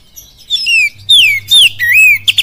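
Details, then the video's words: Oriental magpie-robin whistling in kapas tembak lure style: several rich downslurred and rising-falling whistles in quick succession, ending with two short sharp notes, a faint hum beneath. "SUARA PANCINGAN KACER FULL KAPAS TEMBAK CILILIN DAHSYAT"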